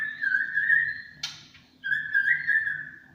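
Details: Champion white-rumped shama, 'tembakan cililin' song style: two long, clear, steady whistles at mid pitch, each held close to a second, split by a brief harsh burst.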